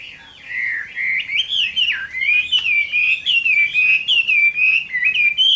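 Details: Chinese hwamei singing a fighting song at summer midday: loud, continuous warbled phrases of slurred, rising and falling whistles, dense and unbroken after a quiet opening.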